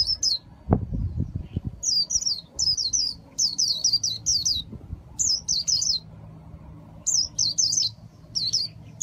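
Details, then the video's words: Khuyên líu song of a caged Japanese white-eye in Vietnam: bursts of three to five high, quick descending chirps in clustered phrases with short gaps, a thump of handling noise near the start. "KHUYÊN LÍU HAY NHẤT 2019"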